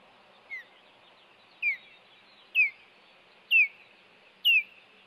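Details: Osprey at a nest cam on 26 April 2018, the male arriving with a fish to protect the female from an intruder: sharp, descending whistled chirps repeated about once a second, growing louder, over faint background hiss.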